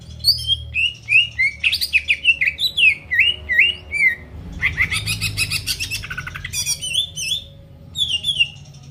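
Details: Greater green leafbird in lively song, played to provoke rival birds: quick series of looping, falling whistled notes, then a thick buzzy rattling passage, followed by more short slurred whistles.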